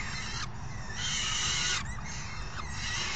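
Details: Hungry young falcons clamour while being fed by a parent on June 3, 2018, giving rough, broadband screeching bursts that pause briefly, with faint thin squeals in the gaps.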